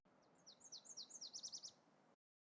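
A Nashville Warbler of the western form sings a thin, high series of slurred notes that speeds into a quick closing trill, all within under two seconds.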